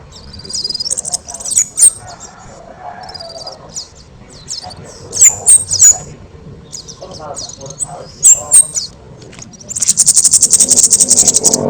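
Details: An orange-headed thrush sings loudly and energetically as a model for training other birds. Varied high warbled phrases with occasional sharp piercing notes, ending in a long rapid buzzy trill of about two seconds.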